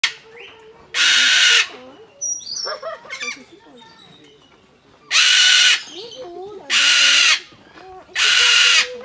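A parrot gives four loud, harsh screeches, each under a second, spaced a few seconds apart. Softer chattering or murmured voice fills the gaps.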